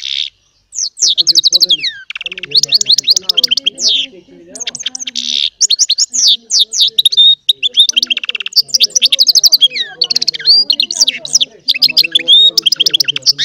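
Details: Small goldfinch hybrid, called baster, singing goldfinch song: long, dense run of twittering and buzzy trills with sweeping whistles, accompanied by soft lower chattering notes.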